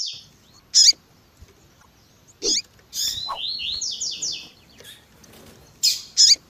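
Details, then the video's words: Double-collared seedeater, tui tui zel zel style, with a female's call used to heat up males: loud isolated clicking chips punctuated by a burst of about eight fast, descending, buzzy whistled notes. "COLEIRO TUI TUI ZEL ZEL COM PIADO E CHAMANDO DE FÊMEA MUITO QUENTE CHAMANDO E MACHEANDO MUITO."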